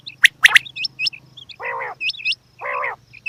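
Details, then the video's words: Female quail calling: short nasal, harmonic squawks about half a second long, with thin hooked chirps and a few sharp clicking notes between them. "Batair Ki Awaz Quail Sounds bedana ovozi Bedana makiyon bedana sayrashi bedana sayroqi"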